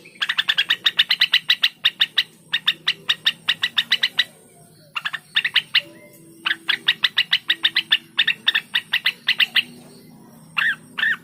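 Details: Cucak wilis singing, used to prompt other kept birds into song: rapid bursts of sharp repeated chirps, about ten to a burst, broken by short pauses, with a faint low hum beneath.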